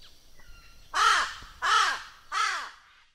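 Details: A raven of the Australia, Oceania and Southeast Asia region gives three harsh, drawn-out caws about two-thirds of a second apart, each slightly falling at the end, with a faint background hiss.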